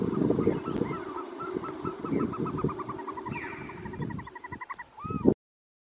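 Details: Caspian snowcock calling: a long series of rapid, evenly spaced clucking notes that runs for about five seconds, rising in places and ending in a curved whistle, over a steady low rumble like wind.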